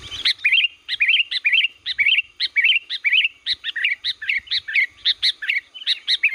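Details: Sooty-headed bulbul from Liwa, singing lively for use as a lure: loud, bright chirped phrases repeated rapidly and steadily, each a sharp note followed by a short slurred twitter, on a clean quiet background.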